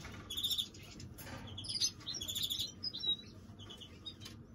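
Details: Greenfinch mule song: short bright trilled bursts alternating with sharp chirps and a thin whistled note, separated by brief pauses, faint hum behind.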